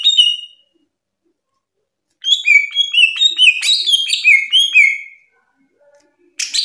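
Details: Greater green leafbird, a national champion, gives masteran song: a brief whistle, pause, then a rich run of tumbling whistled notes stepping down, ending in a faint buzzy burst.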